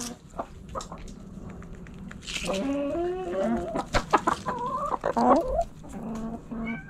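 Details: Rooster crowing in a backyard coop among clucking hens: a long, loud, harmonic crow with rising and falling pitch, then shorter drawn calls and clucks.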